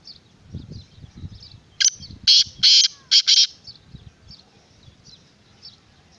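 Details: Black francolin (kala teetar) giving one loud phrase of about five rasping, scratchy notes near the middle, surrounded by faint low rustling and distant soft bird notes.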